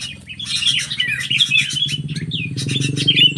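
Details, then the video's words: Sooty-headed bulbul confronting an unruly wild bulbul, giving lively, slurred chirps and quick warbled phrases over a constant low mechanical drone. "Burung kutilang cengkram menghadapi kutilang liar bandel"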